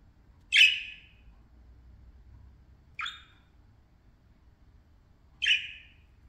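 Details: Pet parakeets playing and chattering: three short, sharp chirps at about two-second intervals, each a brief bright burst, over a faint low background hum.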